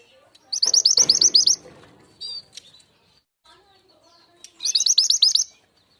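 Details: Lure call of the Javan sunbird used to attract wild birds: two quick trills of high, piercing, repeated chirps roughly four seconds apart, each about a second long, with a short buzzy note and soft rustling between.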